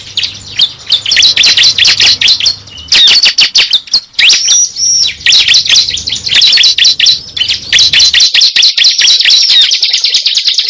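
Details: Lure recording of the cible bird: an almost continuous stream of shrill, high chirps and sharp twittering notes, rapid and busy, with a brief pause near the middle and a faint low hum in the background.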